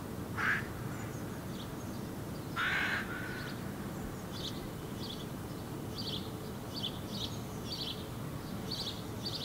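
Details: Fledgling hooded crow on the ground in Helsinki, Finland, July 2017, moving about and giving two harsh raspy calls early on, followed by many soft high chirps of other small birds in the background.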